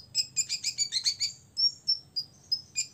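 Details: Olive-backed sunbird, a six-year-old male singing to provoke rivals: a quick run of high buzzy chips, then spaced thin whistled notes.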